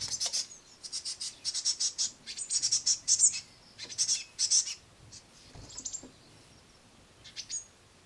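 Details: Hungry great tit young on a window sill, fed crushed madeleines by a harried parent; a steady series of high, buzzy squeaks in short pulses, fading into sparse single chirps.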